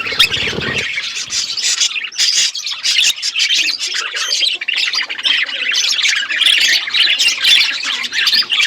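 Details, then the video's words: Several budgerigars on a winter morning, chattering nonstop: dense, scratchy warbles and quick chirps overlap throughout, with a short low rumble at the very start. "Budgies enjoying winter morning birds chirping sounds"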